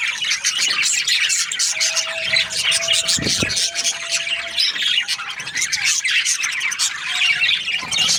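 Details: Loud, continuous chirping and chattering from Australian budgies, with sharp squeaks over a busy warbling mass. There is a steady humming tone and a short low thud.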